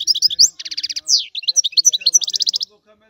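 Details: Sicilian European goldfinch in old-style song, quick liquid twitters broken by rapid repeated trills and a long downward-slurred whistle, ending in near silence.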